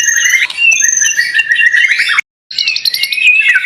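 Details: Contest-type white-rumped shama fighter singing a rich, dense medley of sustained whistles and buzzy, scratchy notes, broken by a short silent gap before a fast chattering run with a sliding whistled note.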